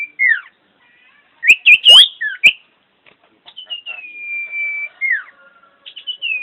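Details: Common iora, a champion bird singing actively: loud twisting whistles and sharp clicks, then a long, slowly falling drawn whistle with a downward slur and a softer trailing note.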